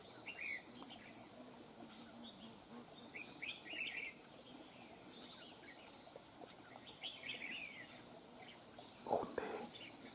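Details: Red-whiskered bulbul, wild-caught, singing scattered quick twittering phrases every few seconds amid a constant high insect hum, with a loud rustling thump near the end.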